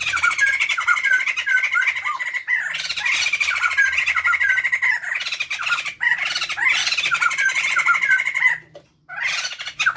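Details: White-crested laughingthrush male and female pair singing loudly, a tool for luring or tutoring birds at home: loud harsh cackling bursts with chattering, rising-and-falling notes, overlapping in dense waves for about eight seconds before a brief pause and restart.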